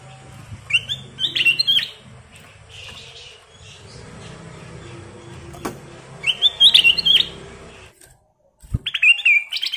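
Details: Kutilang emas, the ruby-throated bulbul, in 'gacor' song with 'isian' phrases: three bursts of quick, twisting whistled notes with pauses between them, over faint rumbling background.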